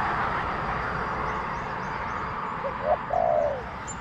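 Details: Wild spotted dove responding to a decoy in a garden setting. After a stretch of steady background noise, one phrase comes near the end: two brief rising coos, then a long descending purr.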